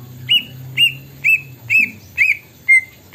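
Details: Greater green leafbird singing an imitation of the plaintive cuckoo's song: a run of loud, clear whistled notes, each slightly arched and falling, repeated about twice per second at steady spacing, with a low hum beneath.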